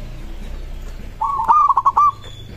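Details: Zebra dove of a local type giving its song, which other doves are said to answer immediately. A single phrase: a soft lead-in, then a fast run of clipped, bubbling coos that ends abruptly.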